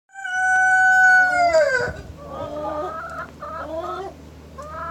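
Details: Rooster in the morning: the tail of a long held crow with rich harmonics drops away, followed by several shorter clucking, wavering calls from other chickens.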